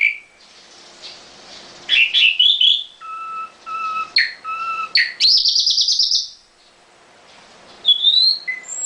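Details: Caged nightingale singing in varied phrases: a short whistle, a rising buzzy burst, paired steady notes repeated three times, then a fast dense trill and a final rising whistle, with quiet pauses between phrases.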